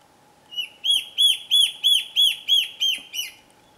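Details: A slender antbird at Boa Nova, Bahia, north-east Brazil, in Aug–Sept 2013, gives a fast series of about eight clear, arched, high whistled notes, roughly three per second and evenly spaced, over a faint steady hum.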